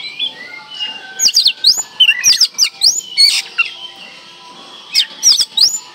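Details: Oriental magpie-robin song used to provoke silent birds into singing: loud fast bursts of sharp rising whistles and clicks, about three a second, in clusters separated by pauses, over a faint steady hum.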